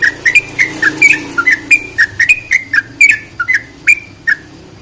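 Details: Sooty-headed bulbul song used to stir quiet bulbuls into singing: rapid series of short whistled notes, each dipping or rising, about three per second, with sharp clicky edges and a faint low hum beneath.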